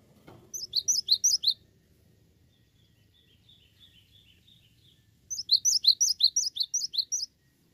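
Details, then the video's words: Cinereous tit in vigorous song: two bursts of rapid, high two-pitched chirping notes separated by a few seconds of quieter, softer twittering, over light background noise. "Awas Gelatik Batu anda Ikut Gacor"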